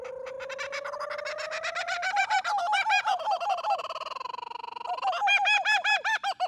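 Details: Two-year-old female Laughing Kookaburra, a captive zoo ambassador, gives the territorial call called the bushman's alarm clock: a rising rolling chuckle that builds into rapid, loud, harmonically rich hoo-hoo-ha notes, repeated fast like a revving engine.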